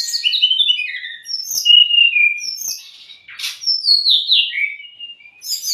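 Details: Shama song used as a tutor and stimulus for cage birds: downward-sliding whistles and high chirps, a short harsh rasp midway, then more clear whistled phrases.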